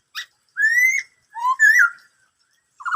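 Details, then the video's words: Black-throated laughingthrush singing in the "bắt cô trói cột" style: a short buzzy note, then two clear rising whistles with bright overtones, the second leaping upward, and a fresh phrase starting at the end. No other sounds. "em khướu bạc má hót bắt cô trói cột"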